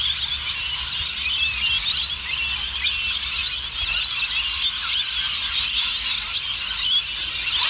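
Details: Rainbow lorikeets at Currumbin Wildlife Sanctuary, a dense flock giving continuous shrill, high screeching and chattering calls that overlap without pause, forming a steady wall of squealing sound.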